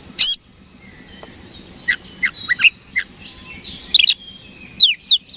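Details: Oriental magpie-robin in a lure recording to spur rival birds to respond; scattered bright whistles and short chips are spaced through the clip over a soft, steady background noise.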